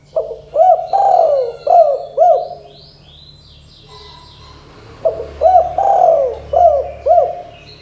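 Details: Spotted dove giving the 'kuk 2' call used to get young birds calling; two bursts of low hollow coos, each with hooked notes around one long coo, separated by a quiet pause of about two seconds.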